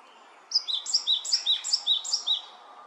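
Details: Male great tit keeping watch over its surroundings and encouraging the incubating female: a clear, high, ringing two-note phrase repeated rapidly, about seven times in under two seconds, with faint background hiss.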